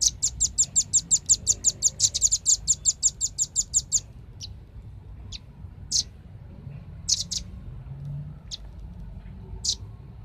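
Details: Velvet-fronted nuthatch lure recording opening with a rapid, even burst of about twenty piercing high chips over four seconds, followed by sparse isolated single and paired notes.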